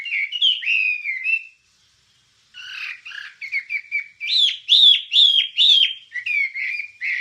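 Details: ['Wambie song for training songbirds: slurred whistled phrases, a brief silence, then twittering notes building into loud, repeated upward-sweeping whistles.']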